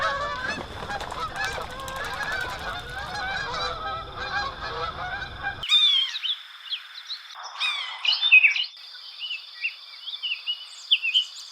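A flock of Canada Geese gives overlapping nasal honks for about five seconds, then high, thin chirps and whistles from other birds take over.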